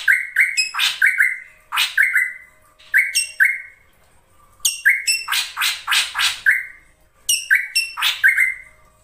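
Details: Krantil saeran ashy drongo in full energetic song, used as a lure for kept songbirds: fast clusters of high sharp chirps mixed with short level whistles and harsh buzzy strokes, phrases separated by pauses of about a second.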